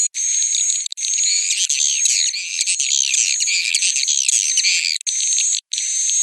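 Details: Roosting call of swiftlets: near-continuous twittering of many quick falling chirps beneath a sustained high whistled tone, with two short breaks near the end.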